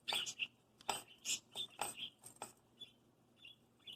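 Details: A 6-month-old hand-raised pet parakeet attacks his bells right before bed, chattering in quick, scratchy warbles and short high chirps, talking and making sounds, mixed with sharp metallic clinks of struck bells.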